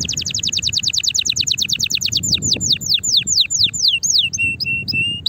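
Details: Excited canary in strong song, meant to stimulate other canaries to sing and prepare for mating: a rapid high trill of falling notes, then slower downward sweeps and steady held whistles, with faint low background rumble.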